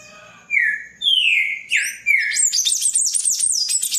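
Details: Palm tanager singing persistently: several drawn-out descending whistles at first, then a rapid run of high squeaky, twittering notes that continues to the end.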